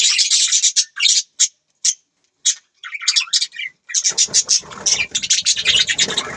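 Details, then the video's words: Budgies giving separate sharp high chirps and short squeaky phrases with gaps of silence, then from four seconds a busy, rapid stream of overlapping chirps and scratchy chatter. "Budgies Birds talking sound | Birds chirping sound"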